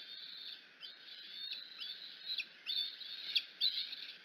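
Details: High, whistled screeches of a bald eagle eaglet at the Decorah nest as the mother lands in the afternoon; sharp slurred notes come in an irregular, excited series, roughly one per second.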